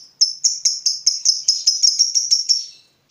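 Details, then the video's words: Caged fighter lovebird agitated by a rival, letting out a steady fast series of about fifteen sharp high chirps over two and a half seconds. "Terpancing Emosi Begitu Lihat Lawan, Lovebird Fighter ini Langsung Narung"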